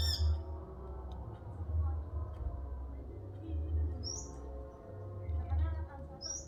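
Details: Male sunbird in the wild: a few brief, sharp, high-pitched chirps spaced apart, heard over constant low droning hum.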